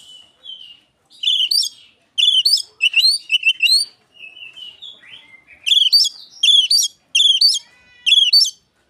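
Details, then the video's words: Oriental magpie-robin voicing Asian pied starling-like song as a lure: loud, rich, bubbling notes repeated in series, broken by a soft whistled glide, then more evenly spaced harsh phrases roughly every half second. "KICAUAN KACER niru JALAK SUREN"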